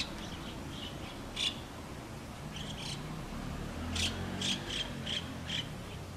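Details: At a nest where white-cheeked starlings are raising young, sharp high squawky notes come singly at first, then in a quick run of about five in the last two seconds, with a low hum underneath.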